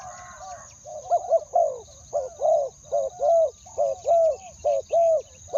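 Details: Calling decoy spotted dove luring wild birds, two-word style: after a faint murmur, a run of low hoarse coos in pairs, short clipped note then a longer arched one, steady and rhythmic.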